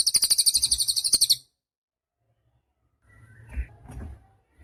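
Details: Cililin, recorded for teaching songbirds: a rapid, high, buzzy trill of about sixteen pulses over one and a half seconds, then silence and faint low rustling.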